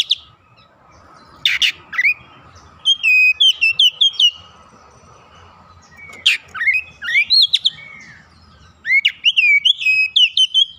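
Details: Oriental magpie-robin, an untrained bird singing loudly and unloading its repertoire. Each sharp upward note leads into a run of sweet descending whistles. Three such phrases come roughly every three seconds against a steady low hum.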